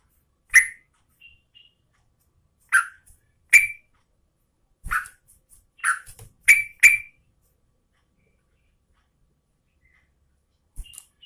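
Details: Yellow-vented Bulbul female calling to a male, giving short bubbly chirps at irregular intervals, sometimes in quick pairs, with silence between and no other clear sounds.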